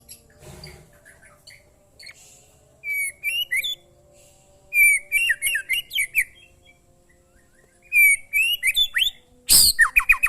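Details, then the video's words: Oriental magpie-robin song, short training recording: bright whistled notes and quick rising and falling phrases in bursts, with pauses between, ending after a sharp broadband knock. "suara burung murai"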